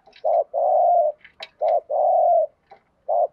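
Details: Thúc gù cooing by a spotted dove: short low coo then a drawn-out coo, repeated twice and starting again, with small clicks and taps between phrases.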